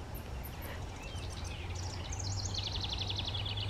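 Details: House wren song in a south central Pennsylvania garden on July 26, 2023, where a nest is suspected nearby: a rapid, bubbling run of high chattering notes ending in a fast, even trill, over steady low rumbling background noise.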